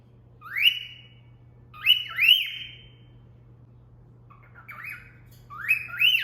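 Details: Female pet cockatiel whistling a cat call taught by her owner: bright two-part rising whistles, each upslur followed by a level note, repeated with pauses, with steady low hum behind.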